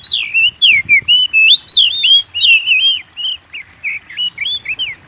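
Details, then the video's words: Energetic oriental magpie-robin (kacer) song meant to lure other kept birds into singing: a steady stream of rapid, looping whistles that grows slightly softer toward the end. "Pancing Burung Kacer Gacor"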